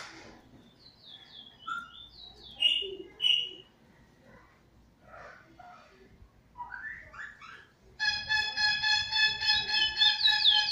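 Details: A chestnut-bellied seed-finch (Trini bullfinch), a proven song-teacher bird, recorded February 19, 2020, gives quick varied whistled notes and slurred phrases, then a loud, steady, ringing buzzy tone for the final seconds.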